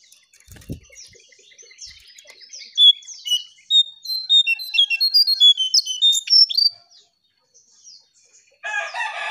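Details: Striped tit-babbler song played as a lure: a quiet opening tick, then a rapid series of bright, sharp whistled notes that rise and fall slightly, stopping abruptly before a burst of harsh buzzy noise.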